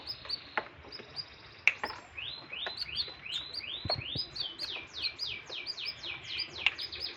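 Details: Canary in strong breeding condition singing: fast series of high, upward-swept whistled notes repeated in rolling runs, shifting into falling slurred phrases, with faint background noise.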